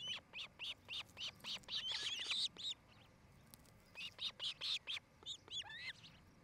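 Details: Osprey pair at their nest in Charlo, Montana: rapid runs of short, high, piercing whistled chirps, about four per second, a denser harsher burst in the middle, then a pause and another run.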